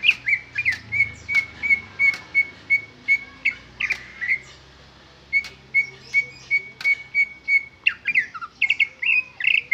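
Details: Greater green leafbird song, no added mimicry: a clear whistled note near the same pitch repeated rapidly in series, broken by sharp clicks and chattering slurred phrases, with a short pause midway before the whistled run resumes.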